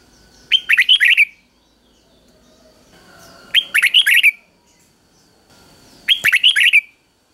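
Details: A red-whiskered bulbul kept in a cage repeats a short three-syllable doubled song used to train young birds. Three quick, bright warbled phrases come about every two and a half seconds, with quiet pauses between.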